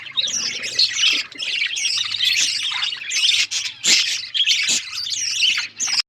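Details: A group of budgerigars chatters continuously, mixing grating squawks with quick high twitters and short louder peaks.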